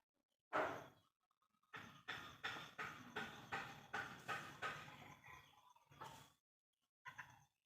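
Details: A local zebra dove, used as a lure to prompt other zebra doves to call, sings an opening coo, then about eight quick clipped rolling notes and a few drawn-out closing coos, in a quiet room.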